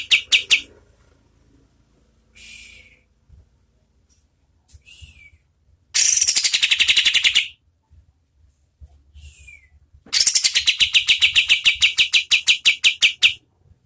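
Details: Oriental white-eye, locally kapas tembak, recorded as master audio for contest birds. Short chirps and a downward slurred note are scattered through quiet stretches, then dense bursts of rapid, high, ringing notes end in a long, fast trill.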